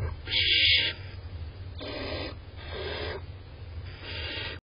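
Barn owl begging: four harsh, hissing snores, each about half a second long, spaced roughly a second apart, over a steady low hum.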